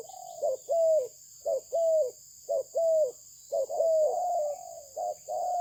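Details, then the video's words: Malaysian spotted dove of a prized breed repeating a short hoot and a longer curved coo, four rhythmic pairs ending in a drawn-out blurred phrase, with a steady faint hiss behind. "លលកធ្នាក់ម៉ាឡេស៊ីពូជល្អ សម្លេងល្អ"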